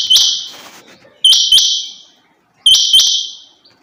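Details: Female rain quail giving sharp, high, rasping double notes that trail away, three pairs spaced roughly every one and a half seconds against a quiet background.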